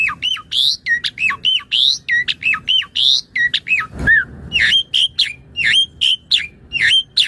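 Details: Asian pied starling (jalak suren) in full song, used as a master recording for training other birds and lure; varied loud whistles and squawky notes, rising and falling sweeps in rapid succession with a brief harsh burst midway.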